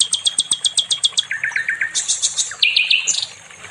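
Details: Sikatan londo, the nightingale, in a training recording for other songbirds: a quick string of high repeated clicks, a lower rattling phrase of four notes, then bursts of high trilled notes and a brief whistle.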